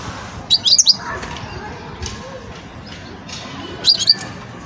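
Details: European goldfinch, a young bird in the song-sorting stage, gives two short bursts of high, tinkling twitter about three seconds apart, with soft background hiss between them.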